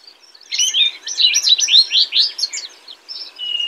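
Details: Rich bubbly song of a house wren, a fast jumble of high chattering notes running for about two seconds before a thin steady whistle at the end.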